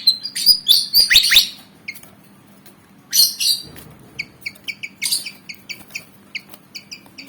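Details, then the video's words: Aggressive Javan fantail, black and white, about 19 cm long, keen to fight: opens with loud tangled squeaky twitters, a brief harsh burst, then a steady run of neat paired chirps roughly three per second. "Burung Kipasan Jawa Ngotot Liat Pengen Tarung"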